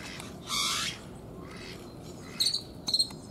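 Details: Male great-tailed grackles in Bosque de Chapultepec, Mexico City, call to win females' attention: one harsh hissing burst, then sharp, high metallic clacks in two quick clusters, over faint rustling.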